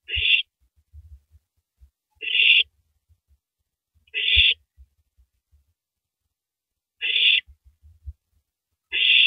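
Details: Owl tearing apart and swallowing a big rabbit at 3:33 AM on 9 April 2012, seen on a live camera. Five harsh, breathy hissing bursts repeat about every two seconds, with faint low thumps and rustles between them.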